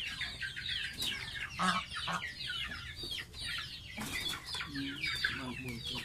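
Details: Bathing baby domestic goose calling with busy strings of shrill descending peeps, broken by splashy bursts and a few lower tones.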